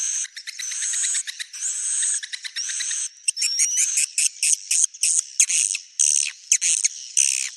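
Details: Swiftlet, given as a genuine recording: rapid dry clicks mixed with buzzy high chirps and thin whistles, then short clipped bursts repeated roughly three times per second.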